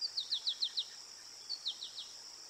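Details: Ruby-throated hummingbird at Decorah Eagles North, 15 August 2022, giving rapid series of sharp, high descending chips, five in under a second, a pause, then four more, over a constant high-pitched drone.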